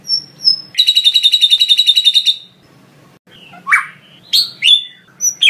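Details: White-rumped shama (murai batu) singing a training master song filled with lovebird-style phrases: a fast, buzzy, evenly pulsed chattering trill of about one and a half seconds, then scattered sharp whistles and slurred rising notes.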